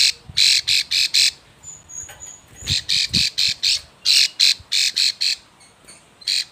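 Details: A female plain prinia in breeding condition calls the male with bursts of harsh, buzzy high notes in groups of three to five, separated by short gaps, with a thin whistle between.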